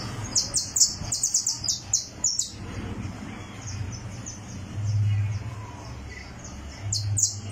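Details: On a tournament perch, a criollo canary warms up its song: a rapid run of bright, high, falling chirps, then near-quiet with only a low hum, and a last pair of chirps.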